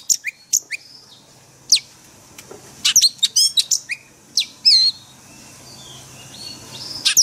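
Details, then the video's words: Caged white-rumped shama singing a forest-style training song, a string of sharp high chips, whistled slurs and rapid trilled bursts with short gaps, over a quiet low hum. "Luyện chòe than hót giọng rừng mỗi ngày"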